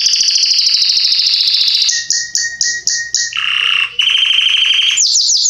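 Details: Belgian canary of the Salsa singing style, a song bird used to teach young birds to sing: loud, high, rapid trills and buzzy rolls shifting through several pitches, with a pulsed section of short clipped notes in the middle.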